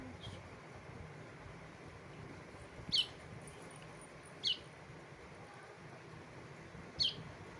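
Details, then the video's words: Baby bulbul giving three short, high, thin chirps that slide downward, spaced about one and a half to two and a half seconds apart, over a faint steady background hiss. "Baby bulbul bird"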